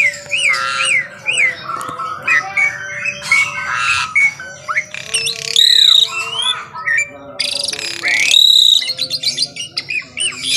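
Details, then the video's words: Asian pied starling morning song with mixed squawks, whistled upward and downward slurs and scratchy chatter, in irregular phrases with brief gaps. "KICAUAN JALAK SUREN GACOR PAGI HARI"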